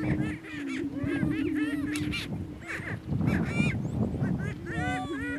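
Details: Dominance battle between two male Greater Prairie Chickens on a lek, northeast Kansas: dense chattering cackles and arching whoops stack over a continuous low drone, busiest toward the end.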